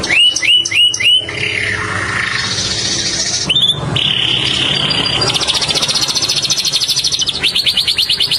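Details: Green Indian ringneck parakeet: four sharp, rising squawks in quick succession open, then harsh buzzy chatter and a long, fast run of pulsed, grating notes to the end.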